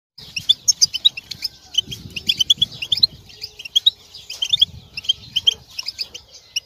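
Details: European goldfinch mating and readiness calls, meant to push males out of moult and into singing: dense, rapid twittering of sharp, high chirps in quick bursts, with a faint low rumble underneath.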